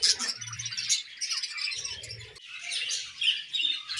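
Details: Feeding budgerigar colony producing steady busy chirping and squeaky warbles, with a low rumbling hum in two short stretches underneath.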